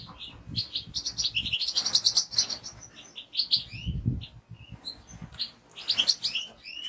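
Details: Goldfinch song, a fast run of liquid twitters and high chirping notes, dense and continuous. Low thumps and rumbling background noise sit underneath.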